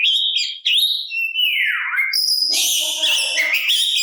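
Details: Oriental magpie-robin (kacer) singing to provoke other magpie-robins into answering and to stir their fighting spirit: loud, varied whistled phrases, high sweeping notes, a long note sliding downward, then dense overlapping chattery bursts.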